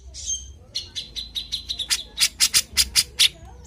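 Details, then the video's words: Grey-cheeked bulbul (cucak jenggot) singing briskly for a lure recording: a high wavering opening note, then a fast run of sharp clipped notes that grow louder and ring brighter toward the end, roughly five per second. "PANCINGAN CUCAK JENGGOT GACOR"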